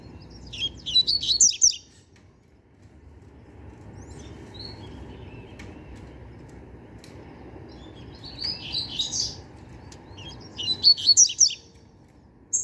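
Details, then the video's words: Young novice double-collared seedeater repeating bursts of fast, high, buzzy twittering, three main phrases separated by silent gaps. "Papacapim Novato Cantando Bitolado!!!"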